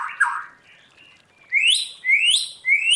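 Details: Forest-voice song of a white-rumped shama under training: a brief rich warble, a pause, then three loud whistles sliding sharply upward, repeated about every half second.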